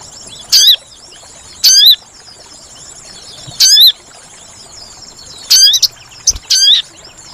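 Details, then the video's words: Sooty-headed bulbul lure call for trapping, made of single loud swooping whistled notes spaced one to two seconds apart, ending with a couple of short chips and a further whistle. "Suara Pikat Burung Sogon Paling Ampuh"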